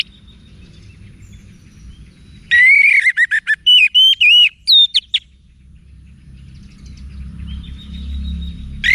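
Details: Orange-headed thrush, Bali, song for cage-bird training: a loud two-second burst of rich whistled and rapid slurred notes starting near 2.5 seconds, then faint low background.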